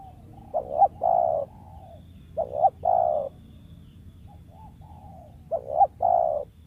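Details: Spotted dove in the wild, prized as a decoy caller, repeating three-part coos: a short broken double note then a sustained low coo, with a faint softer coo between phrases.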